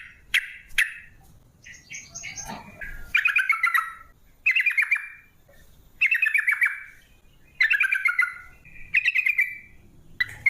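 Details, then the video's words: Rolling 'ropel' song of a sooty-headed bulbul used as a lure: a few sharp opening notes, then repeated short trilled phrases falling in pitch, about every one and a half seconds, with faint background murmur. "Trucuk gacar ROPEL PANJANG pancingan trucuk agar BUNYI, jadikan burung trucuk BUNYI ROPEL"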